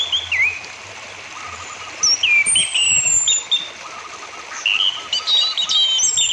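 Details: Orange-headed thrush (Geokichla citrina) song, a lure recording meant to stimulate captive birds to sing: varied high whistled phrases and quick slurred notes, with softer twittering and a faint trickle of water behind.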